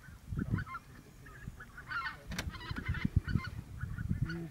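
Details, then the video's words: Lesser white-fronted geese at Camperduin, the Netherlands, 19 January 2020, give short, yelping honks in scattered bursts over a low rumble of handling noise and brief Dutch speech mentioning rings. "Lesser White fronted Goose"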